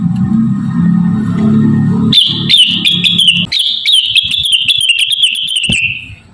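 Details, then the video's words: Javan cochoa singing lively, melodious chattering song, recorded as a training model for other birds; after a low droning hum, a long run of fast warbled trills begins and descends gradually in pitch, punctuated by clicks. "CUCAK WILIS GACOR CREWET MERDU || masteran terbaik untuk rengganis dan burung lainya"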